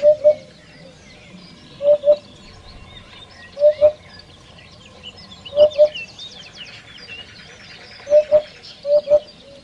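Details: Common hoopoe with steady, hollow paired hoots repeated six times at uneven intervals, against scattered twittering of other birds and a brief buzzy insect-like sound midway.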